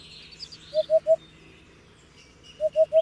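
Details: Hoopoe calling: two low, soft hollow triple hoots, 'oop-oop-oop', evenly spaced, with faint chirps of other birds higher up and a steady low hum beneath.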